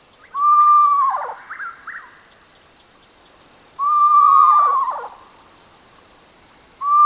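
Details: Screech owl calling: a steady, hollow whistled note lasting about a second and a half, trailed by a few fainter falling notes, repeated roughly every three and a half seconds over a quiet background.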